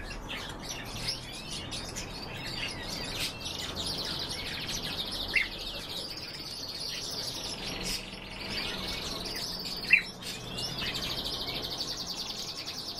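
A canary-goldfinch hybrid sings a long, unbroken run of bright twittering and trilled notes, high and rapid, with a few sharper chips standing out.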